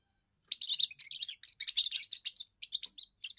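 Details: First song of a young European goldfinch, sung to hold territory and attract females: a fast, unbroken run of varied twittering, chirping notes, bright and high-pitched, lasting about three seconds.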